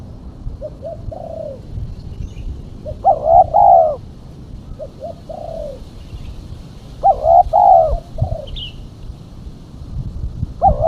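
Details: Female spotted dove used as a lure: two cycles of soft short coos leading into loud paired coos, then trailing soft notes. A brief high chirp from another bird is heard near the end.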